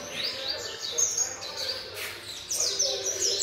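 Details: Brief burst of high whistled and rising chirps from a young variable seedeater aged seven months, sung in quick succession with faint background noise.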